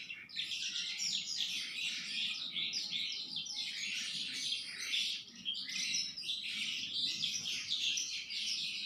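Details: Sanma bird kept at home, singing persistently: a dense, continuous stream of bright, high chirps and rapid twittering trills with no real pauses.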